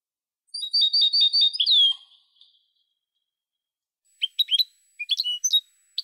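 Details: Song of a European goldfinch: a rapid run of high, evenly repeated notes ending in a falling whistle, a pause, then scattered sharp, high twitters.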